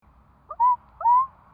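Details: Curlew around the hatching of four chicks: two mellow hooting notes in quick succession, each opening with a brief blip and then a smooth, slightly rising held tone, in a quiet setting.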